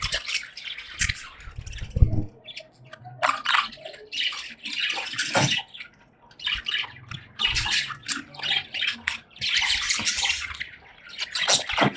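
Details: Splashing and running water with a faint voice in the background; no clear animal calls.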